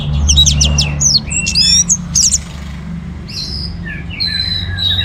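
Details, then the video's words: Orange-headed thrush singing actively to set other birds singing: quick jumbled chirps and bent whistles, then longer level high notes, against a constant low rumbling background. "ANIS MERAH Gacor Untuk Memancing Burung Jadi NGeplong Bahkan Teler"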